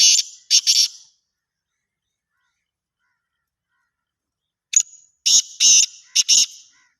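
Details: Black francolin voice: two rasping notes open the recording. After a long pause comes a grating phrase of a short lead note plus three harsh buzzy notes.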